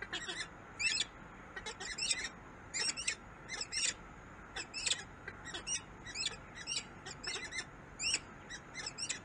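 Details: Peregrine falcon recorded in Harrisburg, USA: thin, high, sharply bent call notes delivered in short clusters of two or three, spaced irregularly over several seconds with a faint steady hiss behind.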